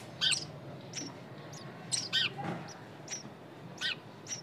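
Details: Nestlings producing bursts of thin, high chirps and squeaky notes, several overlapping, roughly every half second to second, against a low steady hum.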